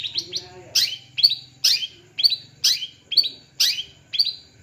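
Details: Kept long-tailed shrike on a perch, singing loud, harsh downward-sweeping notes repeated about every half second. A low steady hum runs underneath.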